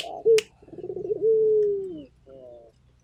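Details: Turtle dove of a local type calling busily, a short sharp note, then a throaty trembling coo that stretches into a long, even, gently dropping tone, ending in a softer brief coo.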